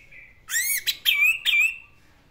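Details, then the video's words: Orange-headed thrush, locally anis merah, in classic-style song. A soft whistle leads into loud, rising slurred notes, followed by two brief whistled phrases that glide upward. "BURUNG ANIS MERAH GACOR GAYA KLASIK"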